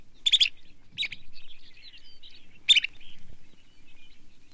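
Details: Long-billed Dowitcher giving loud, sharp, harsh call notes in short clusters, about a second or so apart, with faint softer twittering between them.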